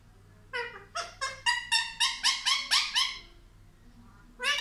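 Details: Indian ringneck parakeet kept as a talking pet, saying words for mummy and papa, repeating a squeaky syllable about eleven times at a steady quick pace, then one more after a pause.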